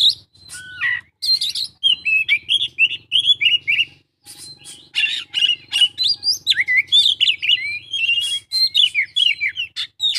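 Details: Oriental magpie-robin delivering a dense 'isian full' song: rapid, varied sequences of sharp whistles, chattering notes and rising and falling phrases, with one brief pause near the middle before the outpouring resumes.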